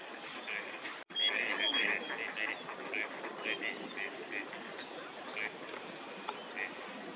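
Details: Gadwall, a winter visitor to Japan, among park ducks at Junsaiike green area in Chiba in December 2025; quick runs of clipped nasal quacks, irregular and overlapping, with occasional high whistled notes nearby.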